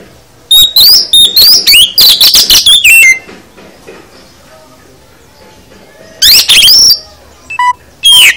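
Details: Oriental magpie-robin full song used as a training recording for caged birds: bursts of loud, high whistled and scratchy phrases with rising notes, two dense runs separated by a few seconds of silence, then short sharp notes.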